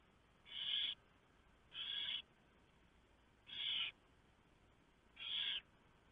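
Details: At a barn owl nest around 4 AM on 3 November 2015, the male brings a large mouse and the owlets are fed; four rasping, hissy screeches, each about half a second, spaced one to two seconds apart.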